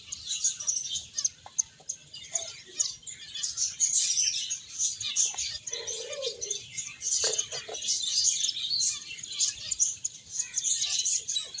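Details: Many finches chirping while playing and eating, a dense high chorus of quick tweets with a brief lower warbling note midway.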